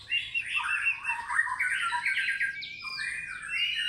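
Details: White-rumped shama song used as a lure to make fighter birds sing, with the ngekek and mbeset material; rich varied phrases of whistles, chattering trills and slurred notes, continuous and loud throughout.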